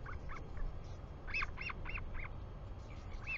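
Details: Royal albatross recorded on a New Zealand nest camera, 24 July 2020, 4:06 pm, during the father's return: scattered soft notes, then a quick burst of four loud arched yelps, one more near the end, wind rumbling low.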